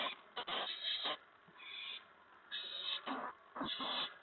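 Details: Owl nest in the evening, April 19, 2017, about 8 PM, during food deliveries to the owlets. Breathy hissing screeches are broken by several sharp scuffling knocks.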